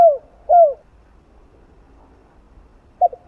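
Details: Spotted dove in the 'giọng đồng' cooing style used to stimulate other doves. Two falling coos close one phrase, followed by about two seconds of quiet before the clipped start of the next phrase.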